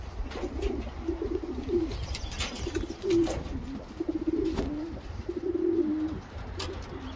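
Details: Racing homer pigeon cooing indoors: low, throaty rolling coos in short bursts, repeated roughly every second, with faint background rustling.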